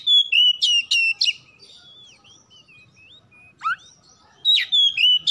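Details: Pet oriental magpie-robin singing to draw out other birds: rapid whistled chirps, a quiet gap with soft twitters and a down-slurred note, then another quick chirping burst.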